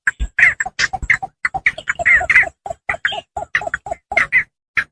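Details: Javan pond heron calls for luring birds in paddy fields: continuous chatter of rough, clucking squawks, many quick notes in succession with occasional louder drawn-out rasps, no other sounds.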